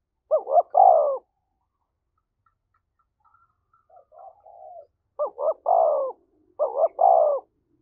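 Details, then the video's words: Spotted dove cooing to incite a fight. Three-note phrases are heard, two short rising and one long falling, with soft low murmured notes between the first and later phrases. "tiếng chim cu gáy thúc đấu"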